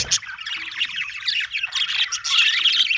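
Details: Happy budgerigar chirping, a fast stream of scratchy warbles and squeaky chirps that grows louder and denser toward the end.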